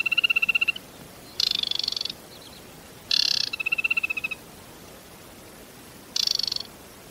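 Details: Aquatic warbler, a scarce autumn migrant to southern Britain that breeds in eastern Europe and winters in West Africa, a globally threatened species: short bursts of rapid, dry buzzy rattles alternating with steadier pulsed notes, repeated in quick phrases.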